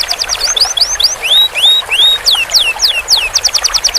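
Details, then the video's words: Canary master song for roll training: quick chipping notes, then sweeping rising and falling whistles, closing with a short burst of rapid repeated high notes, all clear over soft hiss. "Masteran burung kenari belajar ngeroll panjang"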